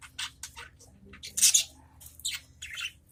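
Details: Caged adult budgerigars answering each other with scratchy, high chirps and squawks, one louder grating burst in the middle, the short notes spaced irregularly over a quiet background.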